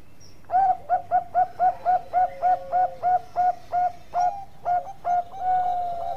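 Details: Zebra dove of the Bangkok perkutut strain singing actively: a long run of about seventeen short, soft cooing notes at an even mid pitch, roughly three to four per second. A steady whistled tone hums faintly beneath.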